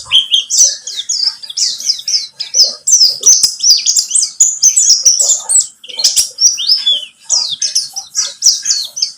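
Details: White-eye of the pleci buxtomi type singing, used as a lure to trigger song: continuous fast high-pitched warbling and chip notes, tumbling phrases with a few clicks mixed in.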